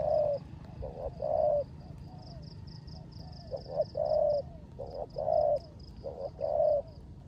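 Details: Spotted dove kept as a decoy bird, singing rước gù coos in rain: a quick paired note and then a sustained soft coo, cycling about every 1.3 seconds, with a continuous high rhythmic chirring and low background rumble.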